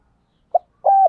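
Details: Newly caught birds are trained with this spotted dove calling coo in the thổ style. A brief soft note, then a longer, slightly wavering coo.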